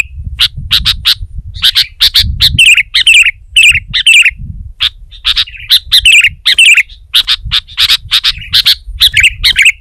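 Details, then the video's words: Sooty-headed bulbul singing vigorously to press a rival. Dense bursts of sharp, high chirps and bubbly warbled phrases follow each other rapidly, with faint low rumbling underneath. "Suara Burung Kutilang Gacor Menekan Lawan Terbaik || Burung Kutilang Lain Emosi Dan Ikut Gacor"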